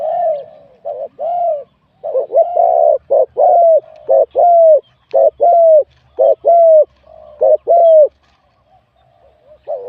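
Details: Spotted dove, a wild bird competing in a singing contest and scored 87 for its mid-to-large voice, pours out a long series of paired coos, each short note followed by a longer falling coo.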